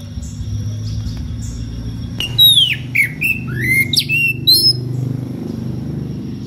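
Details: Kacer, an Oriental magpie-robin, calling to a rival in ngeplong style. About two quiet seconds give way to a burst of bright whistled notes, some sharply down-slurred, others rising, over a steady low background hum.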